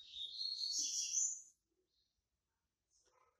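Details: Yellow-bellied seedeater, white-breasted Bahian type coming out of moult, producing a dense, buzzy twittering phrase for about one and a half seconds, then quiet with faint low sounds.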